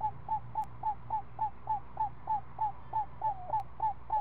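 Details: Owl owlet, one week old, at the nest while its mother feeds it snake in the afternoon: rapid train of short bent notes, about three each second, regular, with low humming underneath.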